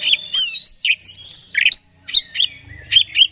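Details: Provoking song of an oriental magpie-robin: bright whistled phrases and strong slurred notes, followed by spaced sharp chirps, with a faint low hum underneath.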